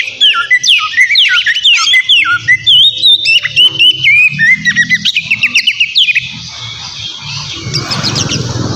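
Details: Oriental magpie-robin in full, noisy song meant to provoke a rival kacer: rapid whistled notes and chips tumble out for about six seconds, then fade into a soft hiss with a few high scattered notes.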